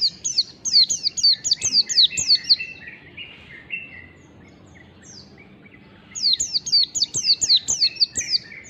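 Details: Mountain white-eye, lure recording of fast pleci ngalas song. Two energetic bursts of crowded, high, falling whistles separated by several seconds of near-silence with faint background hiss.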